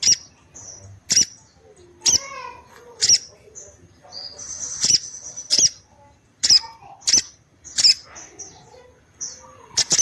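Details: Female orange-headed thrush calling persistently, which makes males respond and come into breeding condition; sharp, high, clicking notes repeat about every second, with thin whistled slurs and softer chatter in between.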